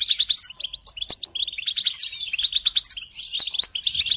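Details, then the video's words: European goldfinch giving a bright, busy song used to train chicks and songbirds: quick chirps and jingling trills follow one another rapidly, with a few sharp clicks breaking the flow. "Encouragement to motivate and support goldfinches in songs"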